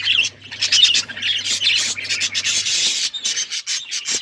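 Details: Chattering budgies give rapid, squeaky warbles and chirps in a busy overlapping stream, with a steady low hum in the first part.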